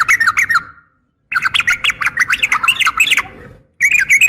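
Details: Yellow-vented bulbul female, trucukan betina, calls to attract a male with loud, jumbled, squawky chatter of rising and falling notes in three bursts, the middle one long and continuous.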